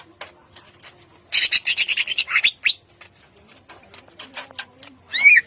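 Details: In the morning a greater green leafbird delivers rough 'tembakan kasar' shots in the ngentrok jambul style. A loud, rapid rasping chatter of about ten harsh bursts is followed by scattered ticks and a final rising whistle.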